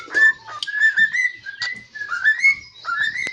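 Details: Cockatiel kept as a pet, likely male as it talks, singing in a kitchen; smooth whistled phrases rising and levelling off, repeated in a loose rhythm with brief gaps.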